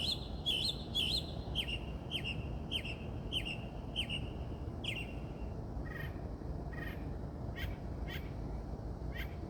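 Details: An unidentified bird in California that sings a lot at night, possibly seeking a mate, repeats short, bright chirps about twice a second. They start clear and high, then grow fainter and lower over a steady low background rumble.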